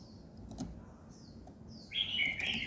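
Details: Bird singing in the morning: faint high downslurred chirps, then a loud, bright, warbled phrase in the last second, over low background rumble.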